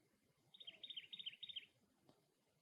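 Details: Cactus wren at its nest giving one short run of five quick, raspy, scratchy notes over about a second, then quiet with soft low background noise.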